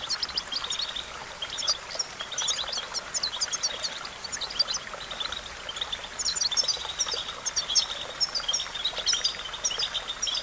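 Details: Goldfinch song for training: busy, jingling twitters and chirps pour out in long bursts with brief pauses, over a steady rushing hiss like a stream.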